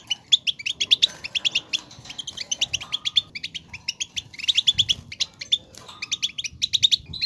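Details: Goldfinch song meant to encourage another goldfinch to sing, a fast run of liquid twittering and jingling notes in dense bursts, barely broken by brief gaps.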